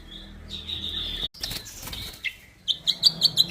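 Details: White-rumped shama, an F5 cross of Bordanias and Balak Sabang lines, gives loud clear whistles, a long held note, then a quick run of bright repeated notes.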